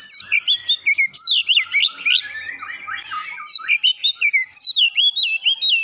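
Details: Kacer, the oriental magpie-robin, in full song with Java sparrow (gelatik batu) mimicry: fast sequences of clear whistled notes, many looping or dropping in pitch, delivered in evenly spaced short phrases.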